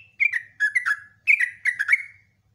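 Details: Sooty-headed bulbul, long song used as a lure, gacor style; bursts of bubbly, slurred notes descending around a mid-high pitch, delivered in two phrases separated by a short pause.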